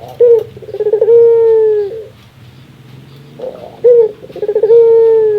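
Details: Barbary dove (puter) laughing, said to be its rarest sound: a sharp note, then fast stuttering pulses flowing into a long level hoot, repeated twice with a quieter gap in between.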